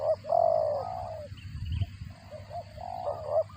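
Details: While it feeds its chicks, a spotted dove gives a cricket-like call. Long, buzzy, slightly falling notes sit between short clipped notes, with a brief low thump midway.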